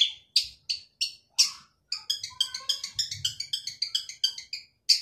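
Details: Male long-tailed shrike singing energetically, a recording meant to lure silent shrikes into singing: several separate harsh chattering notes, then a fast run of scratchy, buzzy high notes repeated several times per second, closing with one more loud note.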